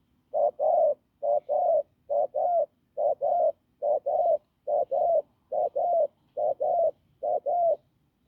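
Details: Spotted dove from the fields cooing hoarsely and firmly: a steady series of about twelve low, husky double-notes, each pair evenly spaced, roughly one per seven-tenths of a second.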